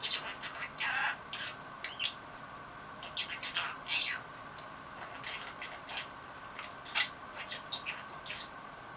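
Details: Excited by a toy, a pet budgerigar chatters and says "I love you" (daisuki da yo): a rapid, uneven run of scratchy chirps and squeaky clicks, loud bursts at irregular intervals, with faint background hum.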